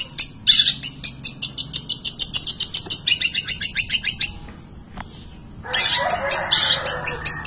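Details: Long-tailed shrike song packed with imitations of other birds. Rapid high chattering notes pour out for about four seconds, then a brief pause, then a harsher, noisier twittering burst resumes the song.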